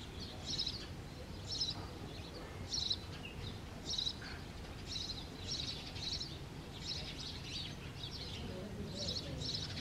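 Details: House sparrows at a clay nest during breeding and mating, March 2022. Sharp, high chirps repeat in loose clusters about once a second, uneven in rhythm, against constant low rumbling noise.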